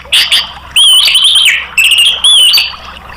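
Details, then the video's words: An orange-headed thrush sings loud, clear whistled phrases, prolonged and slightly wavering, with short chippy notes between them, repeated about every second; played as a stimulus to make caged birds sing. "TERAPI ANIS MERAH bikin ikut NGEPLONG ¦ PANCINGAN AM"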